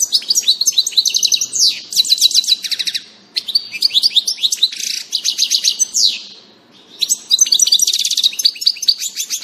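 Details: Long bursts of rapid, high tinkling twitters and buzzy trills from a European goldfinch, recorded 19 June 2018, broken by three short pauses.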